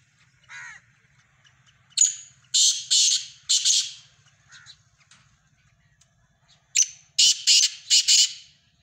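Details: Black francolin calling: loud, harsh, grating notes in two bursts of four or five, the second phrase quicker and more evenly spaced, with a quieter note before each burst over a faint low hum.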